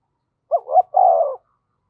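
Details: Single low coo from a decoy spotted dove in the 'thổ sấm' voice style: a short hooked note, a rising note, then a long steady falling note.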